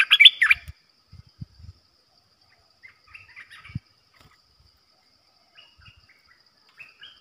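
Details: Olive-winged bulbul used as a trapping decoy gives a loud burst of chattering notes at the start, then scattered soft whistled phrases and low thumps over a faint steady hum.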